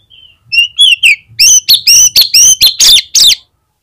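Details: Vigorous Oriental magpie-robin song, played to coax other magpie-robins into singing: soft rising whistles lead into a fast run of around nine loud, ringing, high-pitched notes, evenly spaced and crisp.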